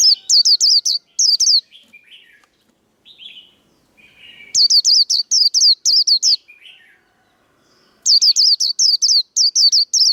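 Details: Training recording of a Japanese white-eye fighting song for cage birds: repeated bursts of loud, high, quickly falling whistled notes, alternating with softer, lower warbled phrases during the pauses.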